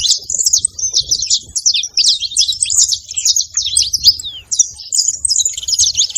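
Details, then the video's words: Saffron finches noisy at a feeding spot give quick high chips and short twittering phrases in dense bursts, with one brief lull midway, over a quiet low background. "canário da terra na seva fazendo barulho"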